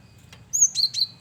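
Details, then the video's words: Male cinereous tit singing for use as a lure: a high drawn whistle slurring into two lower, buzzy chirps in quick succession. "Burung Gelatik Batu jantan||Burung Gel wingko Gacor Variasi Buat Pancingan"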